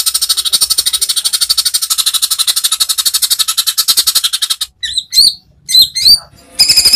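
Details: Caged greater green leafbird singing a varied, phrase-filled training song: a long, evenly pulsed stream of high rattling notes for over four seconds, breaking into bright, twisting whistles and a renewed rattle at the end.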